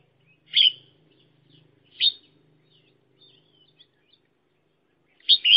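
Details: Red-whiskered bulbul used as a decoy for trapping, uttering three short sharp chirps spaced a second or more apart with faint low hum between.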